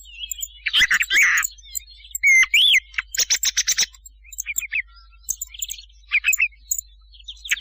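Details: Night hunting lure of a thrush: a harsh opening burst, a looping whistled note, then a rapid series of sharp repeated clicks and scattered soft twittering phrases.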